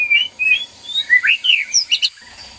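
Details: Male and female white-rumped shama in a breeding cage, sound used to stir mating arousal: a quick string of clear, varied whistled notes, some rising and some falling, about seven in under three seconds, ending with higher sharp notes.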